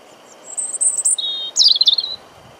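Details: European robin (Erithacus rubecula) singing about 50 cm away in Deal, Kent, UK, on 17 April 2021, windy spring day: a very high thin sustained whistle, a lower pure note, then a tumbling cascade of high twittering notes.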